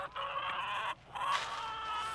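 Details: A hungry barn flock of hens and a couple of roosters in Jupiter, Florida, waits behind a door for morning feeding. They cluck and squawk together in a dense, harsh chatter of overlapping calls with a brief pause in the middle.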